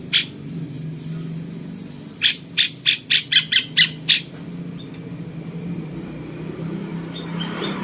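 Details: Bulbul known locally as cucak cungkok, with a voice likened to the cucak jenggot and used to tutor contest songbirds, gives one rasping note, then after a pause a quick burst of seven scratchy squawks over quiet room hum.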